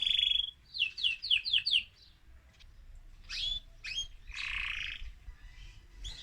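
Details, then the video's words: Excited male mosaic canary singing to stimulate other birds: a thin whistle, a burst of five quick slurred notes, then sparse separate chips and a short harsh buzzy phrase. "أجمل تغريد ذكر كناري هائج موزاييك لتحفيز طيورك"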